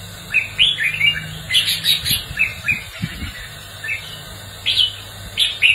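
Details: Red-whiskered bulbul in competitive song: short bright whistled phrases and sharp chips at irregular intervals, interrupted by a few dull thumps and handling knocks, with a low hum throughout.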